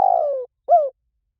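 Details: 'Liu tan' style coo of a spotted dove, meant to draw doves into calling back: a long falling coo followed by one short arched note.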